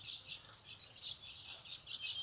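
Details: A captive ultramarine grosbeak, recorded on 23 February 2023 and recently in a slight molt, gives quiet, high, chirping notes in quick bursts, a few per second, with a brighter sharp note near the end over faint background noise.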